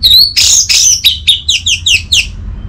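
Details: Orange-headed thrush song played to coax a quiet caged bird into singing: a rapid series of about ten bright, descending chirping notes, each sliding down, over a faint low hum.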